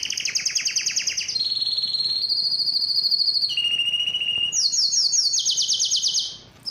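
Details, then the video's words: A singing yellow canary runs through a chain of trilled tours at different pitches, from rapid pulsed notes to smooth steady rolls, finishing with loud high buzzy trills. "yellow canary singing"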